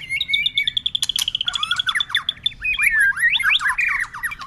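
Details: Tail-flicking white-rumped shama in long continuous song with changing voices, opening with a rapid run of repeated clicking notes, then flowing into varied whistled slurs and bright chattering phrases.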